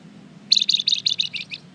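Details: Flamboyan bird in full song, used as a lure to make other birds answer: a quick run of about seven sharp, high chirps, slightly falling and fading toward the end, within one second, over a quiet background.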